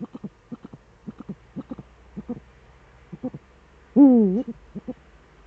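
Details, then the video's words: Eurasian eagle-owl duet, male at the nest in the Eifel, 13 December 2013 at 17:25: a steady string of short paired notes for four seconds, then one loud, drawn-out harmonic call that dips and climbs. "Uhu-Duett, Männchen am Horst"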